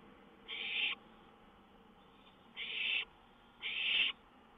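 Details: Night owl watching from a lookout, May 19, 2013, shortly after 1 a.m., songbird in the area; three breathy, noisy hisses, each building slightly in strength, spaced one to two seconds apart.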